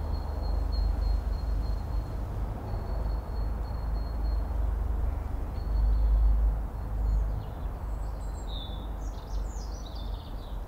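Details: A female reed bunting on a branch in a Cambridge suburban garden, about 25 m away, giving thin, high, drawn-out whistled calls, then a burst of quick high chirps, over a steady low traffic rumble.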